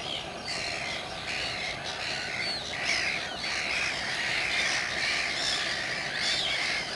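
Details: Common terns at RSPB Saltholme on 17 July 2012, filmed with a Canon 7D: a busy, continuous chatter of harsh, grating calls from many birds, with rasping notes repeated roughly every second.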